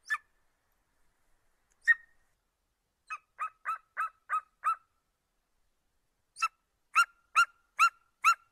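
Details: Eagle with two isolated sharp notes, then two bursts of short, harsh, yelping notes in quick succession, the later burst louder and more ringing. No background sounds.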